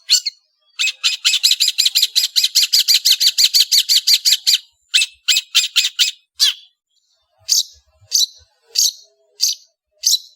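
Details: Cendet, the long-tailed shrike, singing vigorously: a fast rattling run of dense, buzzy notes lasting several seconds, then broken harsh phrases and spaced upslurred chirps.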